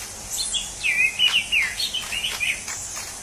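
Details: Wild orange-headed thrush singing a continuous string of wavering, slurred whistles that rise and fall, with a buzzy high insect chorus behind.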